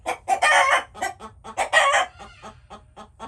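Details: Chickens making noises: two loud, harsh squawks amid quick clucks, then softer, fainter clucking trailing off.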